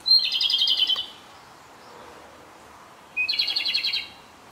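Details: Close-range song of a Japanese robin in a dim site, on the last of six days it spent there: a pair of quick metallic trills roughly three seconds apart, each about a second long.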